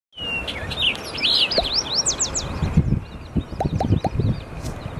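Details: Orchard oriole singing: a rapid run of varied whistled notes and slurred upward and downward sweeps for about three seconds, then stops. Low thumps and handling bumps follow, with faint chirps behind.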